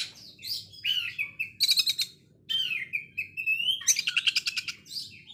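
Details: Sewing-machine-like coarse konslet song of an Oriental magpie-robin: sliding whistled notes interleaved with quick rattling bursts of repeated clicks, with a short pause midway.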